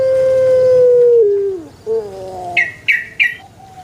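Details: Male dove, meant to get other doves cooing. A long, level hooting note slides down at its end, followed by a softer wavering coo. Three quick, high chirps from another bird come at the close.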